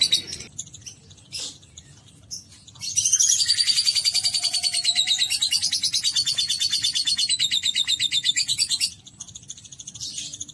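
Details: Lovebird trained through bathing and morning sun on a terrace to ngekek long: after scattered faint chirps, one unbroken shrill chattering trill of rapid pulses runs about six seconds, then stops and soft chirps resume.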